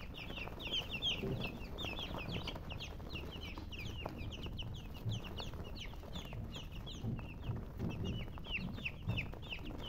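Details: Chicks peep nonstop, a dense flock of thin, high, down-slurred chirps following one another several times a second over a faint low background rumble.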